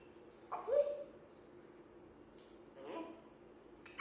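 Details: African grey parrot playing and having fun indoors, giving a short voice-like phrase, then a pause, then a second speech-like utterance and a brief sharp sound at the end in a quiet small room.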